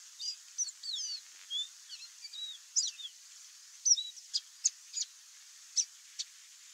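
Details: Wild chestnut seedeater (Sporophila cinnamomea) in Brazil singing a varied run of high, quick whistled slurs and sharp chips in short bursts, over faint steady hiss.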